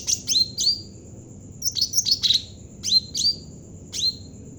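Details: A Javan cucak ranting bulbul, singing actively as a lure for birds in training, repeats short phrases of high chirps ending in downward-swooping whistles, about four phrases in under five seconds, over a steady high background tone.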